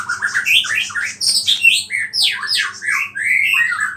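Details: Vigorous white-rumped shama song laced with small-bird mimicry, the kind said to stir up other shamas; fast, dense cascades of swooping whistles and chirps with scratchy notes in between.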